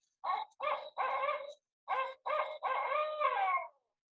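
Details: A Barred Owl (Strix varia) sings rich, barking hoots in two phrases of three, the last note drawn out and sliding down like 'who cooks for you-all'. It projects louder than the great horned owl.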